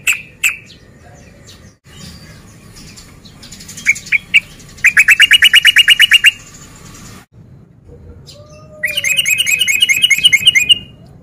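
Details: Male sooty-headed bulbul in breeding condition, used as a lure to provoke other males to fight: brief harsh notes, then bursts of rapid, evenly repeated chattering notes, with a pause between bursts.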